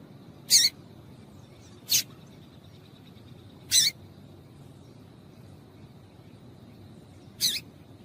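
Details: Female double-collared seedeater calling to encourage a male to sing: four short, sharp, high chips spaced irregularly over eight seconds against a quiet steady background hiss.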